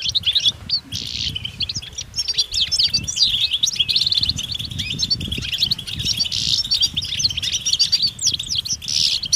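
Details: Several European goldfinches chatter in open country, giving mating calls described as stimulating males to sing. Steady stream of high, jangling twitters and short buzzy bursts, repeated over a faint, steady low background rumble.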